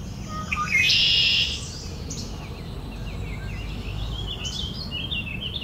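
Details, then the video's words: Several red-winged blackbirds having an argument, recorded live outdoors: one loud, buzzy, harsh trill lasting about half a second, followed by softer, scattered chirps and short rising notes from other birds over a steady low rumble. "red-winged blackbirds having an argument here."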